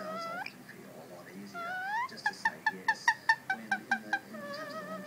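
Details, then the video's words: A female pet ring-necked parakeet mimics the Queen of the Night opera aria: gliding, rising tones, then about ten crisp staccato notes on one pitch, roughly five per second, ending in a soft warble. "Opera Singing Parrot sings queen of the night!"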